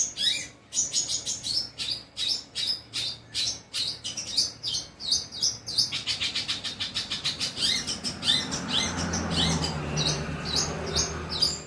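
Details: Long-tailed shrike, kept bird, in song: fast, evenly repeated chattering notes for several seconds, then a rougher, noisier jumble of scratchy chirps with a low hum underneath.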